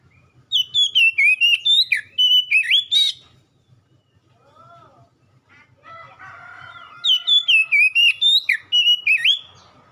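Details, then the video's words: Kacer song, the Oriental magpie-robin, played as ombyokan material so a bird responds and sings. Bursts of loud, slurred, looping whistles with a pause between them. A softer, lower chirping call and faint background noise fill the quiet stretch. "KACER BAHAN OMBYOKAN LANGSUNG RESPON IKUT GACOR"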